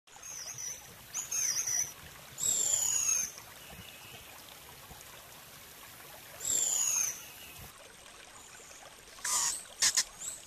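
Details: White-whiskered Puffbird (Malacoptila panamensis) song: two thin, very high whistles, each drawn out and sliding slightly downward, about four seconds apart, over soft hiss and a few short clicks.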